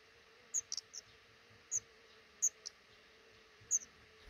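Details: Five black redstart chicks and their parents at a nest in a roof nook over a house door during hatching; sparse, very high squeaky peeps, single and paired, irregularly spaced, faint steady hum behind.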